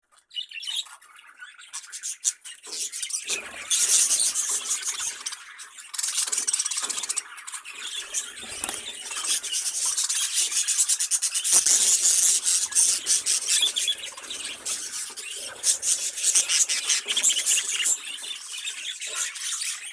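Budgerigars warble and chatter nonstop in a dense, high-pitched stream of chirps and squeaks.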